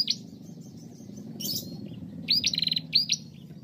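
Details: Energetic female bar-winged prinia, recorded to stimulate other prinias into song. A faint high note opens, then upslurred whistles with a quick buzzy stutter in between, over a soft low background hum.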